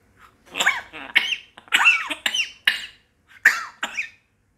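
An African grey parrot mimics a human cough: about six to seven short, harsh, hacking bursts with nasal, rising-and-falling tones, spread over four seconds.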